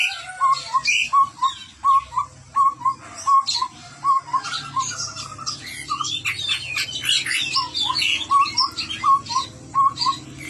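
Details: Chestnut-rumped babbler singing vigorously: clear, short whistled notes repeated more than once a second in a steady series, with busier chattering and twittering phrases in the middle.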